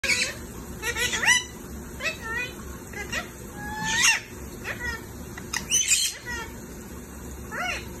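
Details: Indian ringneck parakeet at lunch time, giving a scattered series of sharp, squealing calls with rising and falling slurs, some louder squawks, over a steady background hum.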